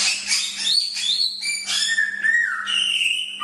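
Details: Chinese hwamei in a bird-training recording: clear whistled notes gliding and stepping between high and mid pitches, with a brief harsher burst early on and a steady low electrical hum underneath.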